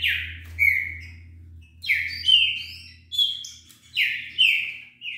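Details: Green-winged saltator, a wild bird, delivering rapid song: strong whistled notes that drop in pitch, about one phrase each second, clear and loud, with a steady low hum beneath.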